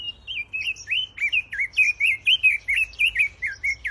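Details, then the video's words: Pekin robin song from an aviary: a rapid, rhythmic string of warbled whistles, about three notes a second, each note twisting up and down, continuous and bright with a faint low hum beneath. "Bird Sounds and Bird Song from the Pekin Robins in my aviary"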